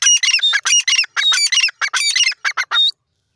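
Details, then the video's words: Female Grey francolin calling: a harsh, squawky series of about a dozen loud, rapid notes in uneven bursts, broad and buzzy, lasting roughly three seconds before stopping. "female teetar awaz"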